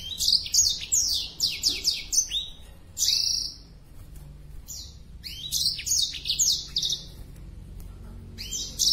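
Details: High bright singing from a black-throated canary in breeding condition, wings spread: dense bursts of fast slurred notes and trills, a pause near the middle, then another energetic burst.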